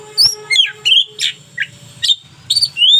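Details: Lively local Oriental magpie-robin in tutoring song: clear whistled notes, rising sweeps and short buzzy bursts spaced roughly every half second, over a faint low hum.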